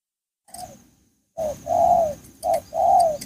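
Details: Spotted dove cooing: a faint first note, then two pairs of mellow low coos, each pair a short note and a longer, slightly falling one, with light hiss behind.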